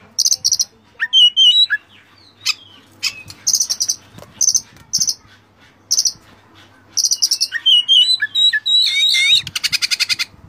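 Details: Oriental magpie-robin master song with varied fill-in phrases for training caged birds: loud buzzy high bursts alternate with sweeping whistled slurs and twisting notes, ending in a long dense rattling buzz.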